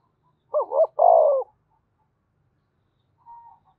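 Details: Spotted dove of the Đồng Nai type giving its calling coo to stir up wild doves: two short hoots run into a drawn-out burry coo, then silence and a faint low note near the end.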